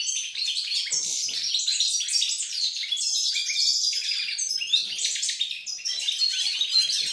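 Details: European goldfinch song on 28 November 2020: a long run of high, glittering twitters and quick trills with occasional buzzy notes, nearly continuous for about seven seconds.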